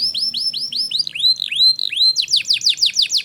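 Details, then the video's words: Canary singing as a tutor to prompt young birds to sing: a series of clear arched whistled notes, then a faster run of sharp descending chirps, all high and bright. "Burung kenari gacor cocok untuk MERANGSANG kenari bahan agar cepat gacor"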